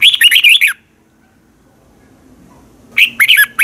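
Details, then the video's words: Thai red-whiskered bulbul singing a fast, fiery training phrase: a short run of liquid, warbling whistles, then a pause of about two seconds and another rapid phrase of chirpy notes. "ฝึกเสียงของคุณเพื่อทักทายกับยอดเพลงและร้องเพลงที่มีไฟอย่างรวดเร็ว นกกรงหัวจุก"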